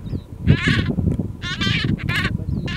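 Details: A male White-bellied Bustard calling in Mara North Conservancy, Maasai Mara, Kenya, on 24 January 2017 gives harsh, nasal, croaking notes in quick bursts, with a thin whistle from another bird and a steady low rumble of wind.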